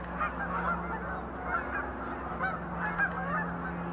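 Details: Sandhill cranes dancing with display leaps at the visitor center of Montezuma National Wildlife Refuge, November 2020. A steady chorus of rattling, trumpeting calls overlaps continuously beneath a faint background hum.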